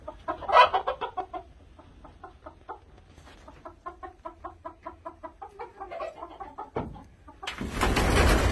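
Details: Red junglefowl (Gallus gallus) giving a steady run of low, hen-like clucks, about three to four a second, ending in a burst of rough wind or rustling noise.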